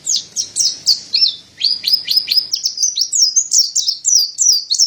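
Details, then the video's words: Mountain white-eye, known locally as pleci dada putih, singing actively: rapid high, thin twittering notes in quick downward-slurred bursts, nearly continuous with a brief pause, no other sounds. "Terapi Burung Pleci Dada Putih Gacor | Masteran Pleci Montanus"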